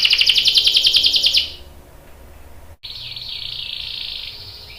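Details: Canary singing, a young male responding: a loud rapid trill lasting over a second, then quiet, followed by a softer continuous warbling trill.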